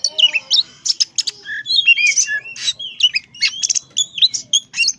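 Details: Tame young Oriental magpie-robin in full, lively song, pouring out mixed sweet whistles, slurred rising and falling notes, scratchy chatter and quick trills in a nonstop varied stream over a faint low background hum.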